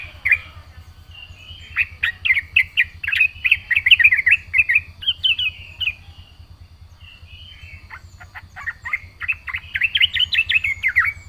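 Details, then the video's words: Yellow-vented bulbul, gacor with full isian, pouring out lively chattering phrases: rapid warbled and bubbling notes in long runs, a brief pause near the middle, then another fast burst of chirps, with a steady low hum underneath. "burung trucukan gacor full isian"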